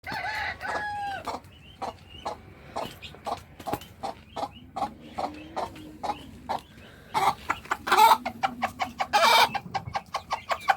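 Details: Free-range hen calling her chicks to food: soft repeated clucks at an uneven pace, with louder broadband bursts from other birds near the end and steady background hiss.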